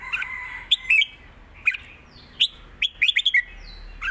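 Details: Red-whiskered bulbul giving southern-style song: scattered whistled chirps and quick trills in short bursts, softer and more broken, over faint low background hiss.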